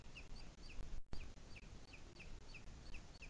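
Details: Sierra de Guadarrama, 2 July 2021, 17:53: a booted eagle repeats thin, clipped, high notes about every third of a second throughout, partly masked by constant deep wind rumble.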